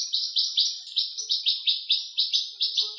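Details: Western rock nuthatch (Sitta neumayer), tentatively identified, singing in Greece: a loud, ringing series of high, slurred notes, about four a second, steady and even, with nothing else heard.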